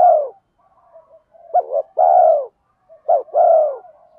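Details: Spotted dove cooing, male and female, to stimulate doves in training. A coo fades, soft low murmurs follow, then two full phrases: a sharp short note, a hoot, and a long mellow coo.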